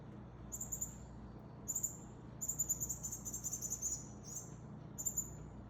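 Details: Male Northern cardinal feeding a fledgling: very high, thin, slightly buzzy call notes in short bursts, some strung together into a quick run near the middle, over a low steady background hum.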